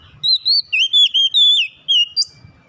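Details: Oriental magpie-robin in song, a rapid sequence of pure, ringing whistles, some steady and some sliding, delivered in short bursts ending with a sharp high note.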